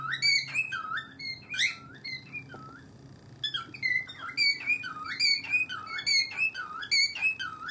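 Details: Two pet cockatiels calling indoors in an odd rhythmic pattern, a call one starts when it sees its owner's feet; bright whistled notes with dipping inflections repeat in quick bursts, a short pause near the middle, then resume.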